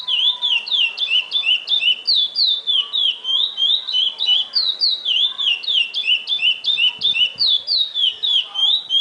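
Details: Chestnut-bellied seed finch performing the classic praia song, a rolling sequence of pure, high whistled slurs repeated roughly three times per second, faint low thumps in the background.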